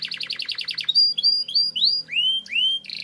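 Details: Training-lure canary song with long rolls: a quick series of pulsed chips, then a string of rising and falling whistled slurs, ending on a brief trill.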